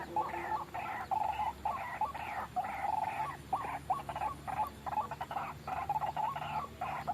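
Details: Repeated harsh, grunting phrases of white-breasted waterhen from a trapping lure, bursts of about half a second separated by short gaps, with a faint low hum underneath.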